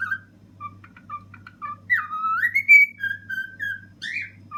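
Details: Ten-year-old male pet cockatiel singing indoors on top of a fridge. Short whistled notes lead into a long swooping whistle that rises and then holds level. A steady low mechanical hum runs underneath.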